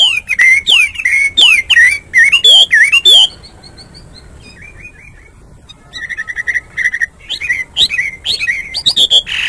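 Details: Hwamei's morning song: loud, rapidly repeated swooping whistles, a brief near-silent pause with faint soft notes, then a buzzy run of short even notes and renewed varied whistling phrases.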